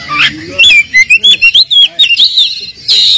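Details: Oriental magpie-robin song used as a lure to make a low-spirited bird answer: a rising whistle, then a fast string of loud, clipped whistled notes, and a long bright descending whistle at the end.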